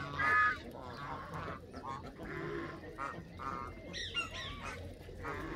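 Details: A group of Canada geese honking, loud nasal honks in short bursts every second or so, some sliding upward, over a low background hum.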